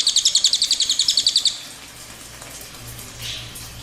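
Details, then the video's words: Cililin's rapid high trill of sharp repeated notes lasting about a second and a half, then breaking off into quiet background noise with a faint low hum. "Suara Burung Cililin Gacor"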